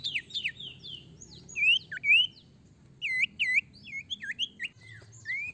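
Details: Ashy tailorbird (sirtu) singing vigorously to lure other birds into song: a rapid series of loud, sharp whistled notes swooping up and down, some clear U-shaped upslurs, in bursts with short pauses; faint low hum beneath.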